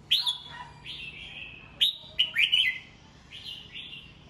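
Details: Kept red-whiskered bulbul giving morning song to train and fire up other birds: clear descending whistles, then a bright bubbling three-note phrase and two trailing slurred whistles, with a low steady hum behind.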